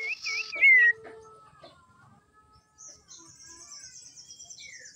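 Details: Female common iora lure song for provoking males: a quick wavering whistled phrase and a loud downslurred whistle, followed by faint scattered notes and a thin high trill.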